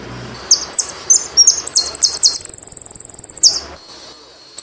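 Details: Saffron finch (jilguero argentino) singing: a string of high separate whistled notes that speeds into a long, fast, even trill of rapid ticking pulses, ending abruptly.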